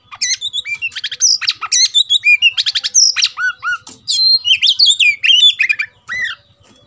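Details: Oriental magpie-robin (kacer) stirred to fight sings rapid runs of repeated short notes, sweeping whistles and twangy slurs, loud and varied with brief breaks; faint regular low ticking behind.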